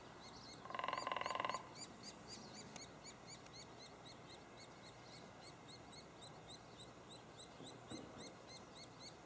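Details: Nesting white-headed woodpeckers at Lassen Volcanic National Park: a nestling's high, thin chirps come steadily, about three or four each second, while a short, rapid drum roll sounds near the start.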